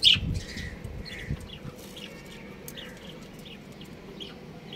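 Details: Chirping from a breeding pair of budgerigars: a loud sharp note at the start, then soft buzzy chirps and quiet twitters spaced through the clip against a faint rustling background.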